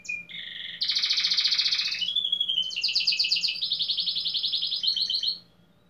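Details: Contest canary from Pelotas, southern Brazil: short whistles open into a loud broad buzz, a gliding whistle, then long fast trills at steady pitch before stopping abruptly.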